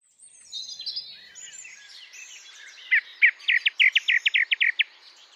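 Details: Song thrush singing in an English countryside garden: a soft, high twittering phrase, then a loud, rapid run of about eleven clear repeated notes.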